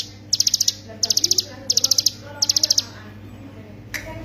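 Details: Hill prinia singing as a master recording for songbird training. Four quick bursts of about six bright, high staccato notes come roughly every two-thirds of a second, then a pause and a single faint note over a low background hum.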